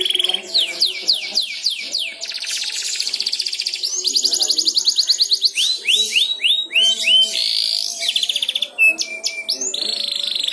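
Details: Young canary learning to sing, drawn out by another canary's song: loud high-pitched song of rapid falling sweeps, buzzy trills and rattling tours, shifting phrases every second or two, with faint background murmur.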